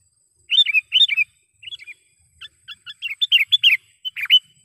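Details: Sooty-headed bulbul used as a trained lure bird, giving bubbly, chirpy two- and three-note phrases in quick bursts, about a dozen in under five seconds; nothing else heard.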